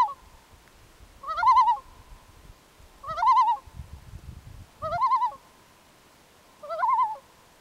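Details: At night, a loon gives four short, quavering calls that rise, then waver, roughly every two seconds, over a faint low rumble.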